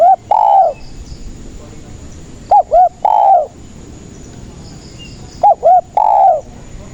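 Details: Spotted dove coos for luring doves into traps and getting shy ones to call: paired short arched notes followed by a rich swelling drawn coo, the phrase repeated three times at steady intervals over a soft noise floor.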